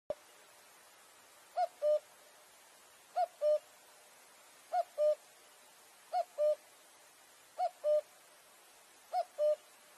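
A striped cuckoo gives clear two-note whistles, the second slightly lower, repeated about every one and a half seconds over a quiet background.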